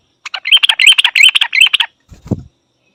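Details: Yellow-vented bulbul in Thailand: a bubbly run of sharp, ringing chirps for about a second and a half, tightly repeated, followed by a brief low thump and silence.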